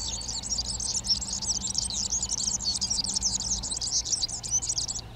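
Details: Eurasian tree sparrows occupying nest boxes in a garden in Přerov, 19 March 2020, chirp continuously in dense overlapping chatter of short high notes over a faint hum; chaffinch, serin, hawfinch and dunnock may sing behind.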